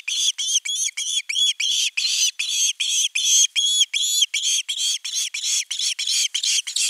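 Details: Insistent fish-begging osprey on nest camera 3, 10 August 2021: seven seconds of densely repeated, slightly hoarse whistled yelps, nearly three each second, steady and unrelenting.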